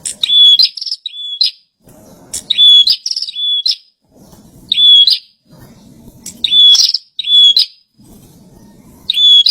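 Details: Bar-winged prinia kept in care, in lively song: shrill, high whistled phrases of two or three quick notes repeated in bursts about every two seconds, with faint low background noise in the pauses.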